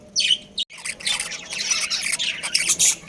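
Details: Breeding budgerigars in a colony: a loud squawk opens, followed by dense, scratchy chattering from many birds that carries on almost without pause.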